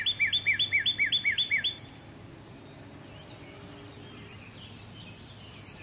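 Northern cardinal gives a quick run of about nine clear, down-slurred whistles in under two seconds, then falls silent over soft background hiss.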